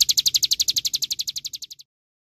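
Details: Olive-backed sunbird giving a rapid series of bright, high tweeted notes that slowly weaken and stop after nearly two seconds, followed by silence.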